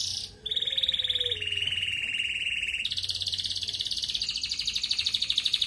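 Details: ["Red canary, a male singing in the lively 'ngerek' style, used as a master song to stir breeding desire in female red canaries. A long sustained rolling trill that steps down in pitch, then jumps higher into a fast rattling trill."]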